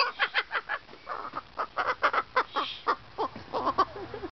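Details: Enclosed kookaburra at a Deeping St James animal refuge, threatened by someone walking past, gives uneven chuckling bursts of short harsh notes with brief pauses between groups.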